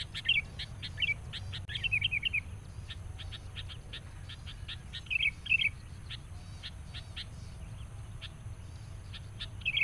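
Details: Sooty-headed bulbul, caught up in a trapping session with a decoy bird, angrily confronting a rival: short bubbly, warbled phrases in bursts among many sharp ticking chirps, with a constant low hum behind.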